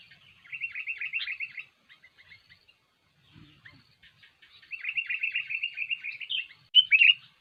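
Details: Sooty-headed bulbul (kutilang) in energetic song, used as a trapping lure: bursts of rapid, chattering, warbled notes, a quiet gap in the middle, then a long, fast chattering run ending in a few sharper, louder notes.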